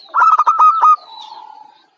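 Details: Local zebra dove, young and said to be bold enough for contests, utters a loud burst of rapid pulsed coos followed by a softer, lower fading purr.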